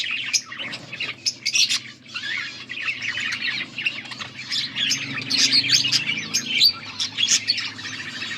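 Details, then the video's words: Budgerigars chirping, August 14, 2024: a dense, continuous chatter of quick high chirps, squeaks and short squawks from several birds, overlapping without pause, with a faint low hum underneath. "Budgies sounds for lonely birds birds chirping sounds"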